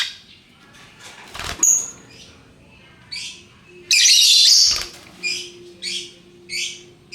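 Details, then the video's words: Lovebirds of various colours chattering in ngekek style: a long, loud, shrill rattling burst in the middle, followed by a run of short, high, scratchy chirps roughly every half second. "Burung Lovebird Rupa Rupa Warnanya, Burung Paruh Bengkok, Bunyi Ngekek Gacor"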